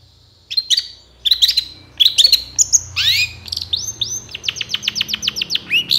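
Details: Long-tailed shrike lure song meant to make lazy birds answer: clipped whistles and a rising sweep, then a steady series of rapid, repeated upward-flicking notes.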